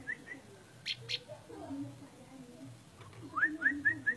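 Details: Orange-spotted bulbul song: two clear whistled notes, then a pause with two sharp clicks, then a quick run of four rising, slurred whistles over a faint low background hum.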